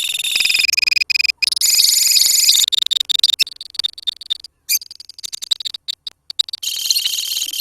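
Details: Lovebirds in a colony chattering to spark long 'ngekek' trilling: loud, high, sustained buzzy trills at the start, then scattered sharp chirps and clicks, and a fresh burst of rapid trilling near the end.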